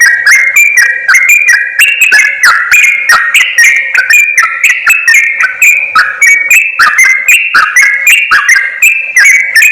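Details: Sooty-headed bulbul lure audio for bird trappers, several birds seemingly calling together: a continuous chatter of bright whistled and slurred notes, crisp clicks and high twittering, busy and unbroken.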